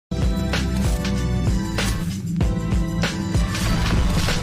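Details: Dense instrumental music with a heavy bass beat and sharp percussive hits plays throughout, with no animal sound.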